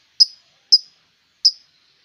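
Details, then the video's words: Melodious bird giving three short, bright, high-pitched chirps, each with a quick fading tail, spaced roughly half to three-quarters of a second apart against a silent background. "suara burung bird merdu"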